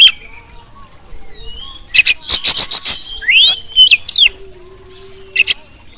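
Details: Champion Oriental magpie-robin, a tutoring recording for training songbirds and prompting them to sing. Clear rising and falling whistles mix with a quick run of harsh, rasping notes, followed by sweeping slurred whistles and a low steady tone.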